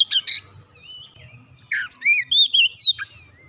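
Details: Oriental magpie-robin song, played to prompt a silent bird into singing. Two harsh buzzy notes open, followed after a pause by a run of clear whistled notes that slur up and down, some sharply rising.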